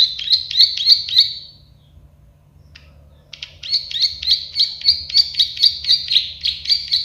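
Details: A plain prinia (prenjak sawah) starts with a few quick buzzy clicks, falls silent for about two seconds, then resumes with a long, steady train of rattling klik-klik notes to the end.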